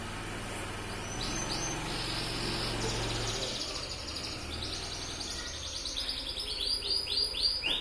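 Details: Yellow Atlantic canary used as a tutor bird; a trilled, rolling song rises over steady background hum, ending with a run of clear downward-sweeping whistles repeated rapidly.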